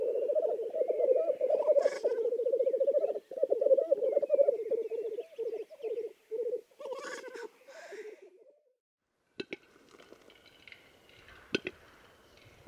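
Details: Black grouse in Lithuania: bubbling, rolling coos in bursts with a hissing sneeze, fading out after about eight seconds, followed by quiet with scattered clicks and knocks.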